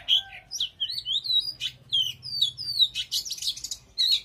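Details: Energetic song of an Oriental magpie-robin, a quick stream of clear whistled slurs and sweet chirps broken by a scratchy, rasping burst near the end.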